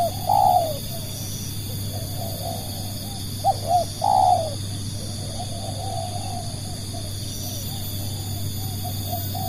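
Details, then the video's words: Cooing spotted dove meant to draw in other doves: a long coo at the start, then a second phrase of short coos and a strong drawn-out note, trailed by softer murmuring coos. "burung tekukur pikat"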